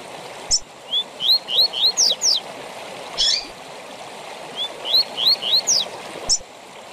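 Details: Double-collared seedeater tui tui zel zel training song for captive birds: two phrases of four to five upslurred whistles plus sharp high downslurs, with occasional clicks and a steady background hiss.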